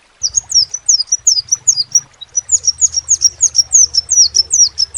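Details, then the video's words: Crimson sunbird song: quick series of thin, sharp notes dropping in pitch, a brief break near the middle, then a longer unbroken run, with low background hum. "SEPAH RAJA TERNYATA MEMPUNYAI KELEBIHAN DARI SEGI SUARA NYA YANG KHAS"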